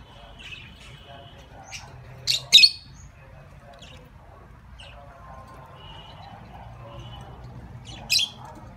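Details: A pet pair of cockatiels give harsh, screechy squawks in a quick pair and again later, with softer chirps and whistles between and a faint murmur of voices behind.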